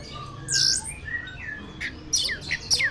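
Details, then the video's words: Contest-winning caged orange-headed thrush in Tasikmalaya, Indonesia, delivers a loud harsh burst followed by clear short whistles and steep falling notes, with faint hum underneath. "Burung anis juara 1 tasikmalaya"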